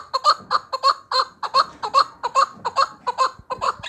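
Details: Chukar partridge, a hunting bird, calling close by: rhythmic doubled clucking chuck notes, slightly rising, repeated steadily across the clip.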